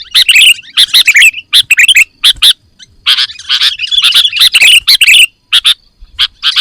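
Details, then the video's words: Full isian song from a sooty-headed bulbul, meant to make birds sing: energetic clusters of sharp warbled notes, a brief lull midway, then renewed chattering phrases. "Suara Kutilang Full Isian - Biar Makin GACOR"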